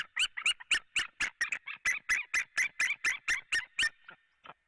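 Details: White-tailed eagles at a nest in Latvia on 4 March 2017 at 16:30, calling after arriving together: a fast series of sharp, yelping notes, about four each second, that trail off at the end.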